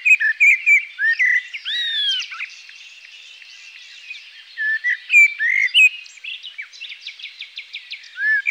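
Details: Common blackbird, among European animals, sings mellow, fluty whistled phrases with sliding notes, each ending in a thin, squeaky twitter, with short pauses between phrases.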